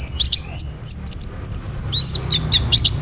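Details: Song of an orange-headed thrush, meant to lure other birds into singing, delivered as a rapid, varied stream of high chirps, twittered slurs and sharp notes with barely a pause.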